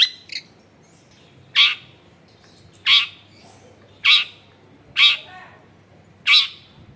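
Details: Long-tailed shrike (cendet), used as a lure to make lazy shrikes sing, recorded at a home in a crowded area: loud harsh rasping squawks, five of them spaced about a second apart, on a quiet background.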